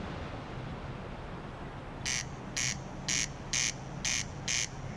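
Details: Corncrake in Ireland, a globally endangered bird that long heralded the onset of summer and has declined as traditional grass meadows disappeared, with only a few hundred now arriving each year. Six harsh, rasping bursts come about every half second over a low rumbling background.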